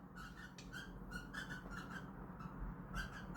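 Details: Pet cockatiels indoors while trying to mate give a run of short, even, squeaky notes repeated about three per second, with a low room hum beneath.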